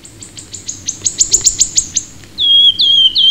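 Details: Wood warbler (Phylloscopus sibilatrix) song, British birds: a run of high ticking notes that speed up and swell, then drop into lower, clear whistled notes, with a quiet background.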